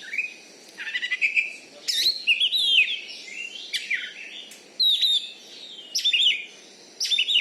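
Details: Caged champion Oriental magpie-robin in Bengkulu, Indonesia, a contest bird kept for its loud voice and fighting style, singing in bursts of rich whistled, rising and falling phrases mixed with sharp scratchy notes, separated by short pauses.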